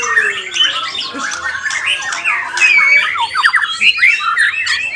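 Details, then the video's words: In a singing contest, a white-rumped shama pours out overlapping whistled slurs and rapid stuttering note runs, loud and unbroken for the whole stretch, over background chatter from other birds. "MURAI BATU GALAXY"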